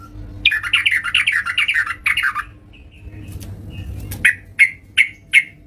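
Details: Yellow-vented bulbul kept at home, singing eagerly: a quick run of rolling, gurgling warbled notes lasting about two seconds, a pause, then four evenly spaced short sharp chirps, with a faint hum underneath.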